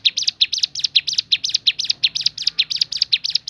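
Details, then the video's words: Javan sunbird song in the shooting-variation style, a rapid, steady string of high, sharp chirps, nearly three notes a second, with no other sounds. "ciblek gunung bunyi fariasi tembakan"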